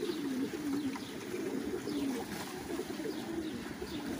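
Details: Many fancy pigeons kept at a big farm in Qatar give soft, low, wavering coos in overlapping bursts of about a second, over a constant background hiss.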